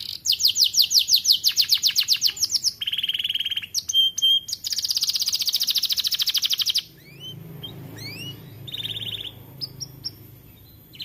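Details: In an aviary, a young canary starts singing with fast rolling trills, short flat whistles and a long rapid buzzy trill, then trails off into scattered sweeping notes over low background hum.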